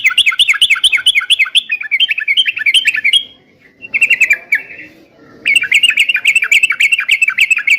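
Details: Yellow-vented bulbul song meant to rouse trucuk birds into answering: long runs of fast, bright chattering notes, broken by a quieter warble near the middle before a final vigorous run.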